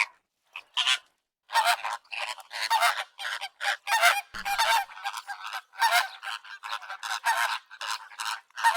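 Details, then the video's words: A flock of flamingos gives a dense chorus of nasal, goose-like honks, overlapping in rapid bursts with hardly a pause. "FLAMINGO VOICE"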